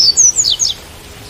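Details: Song of a white-collared seedeater with rain sound, a quick run of high whistled slurs that drift downward in pitch and then stop, leaving a steady background hiss.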